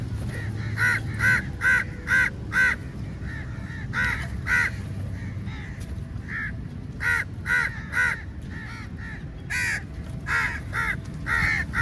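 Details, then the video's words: Very large number of crows at feeding time attacking food: sharp, hoarse caws bursting out in irregular clusters from many birds, loud throughout, over a constant low droning background. "Crow Sounds Very Loudly"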